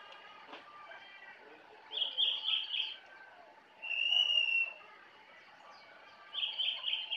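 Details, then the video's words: Jongkangan singing in the forest at Kintamani, Bali: three short bright whistled phrases, each under a second and spaced about two seconds apart, over a faint background of other distant birds. "Jongkangan Gacor Dari Hutan Kintamani, Bali"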